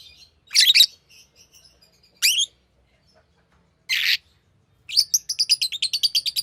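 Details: Green lovebird making harsh screechy bursts separated by pauses, then breaking into a rapid series of high, sharp chirps toward the end.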